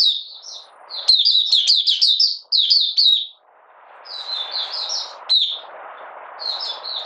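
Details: Oriental white-eye from Malaysia, out of form and in minor moult, 31 July 2023, opening song: rapid, tumbling runs of high twittering notes, about two per second, broken by a pause, over a low rushing background hiss.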